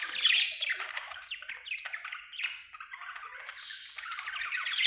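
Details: Budgerigar chattering continuously: a busy warble of rapid, scratchy chirps, clicks and short squawks, rising and falling without pause, high-pitched throughout, with no other clear sounds.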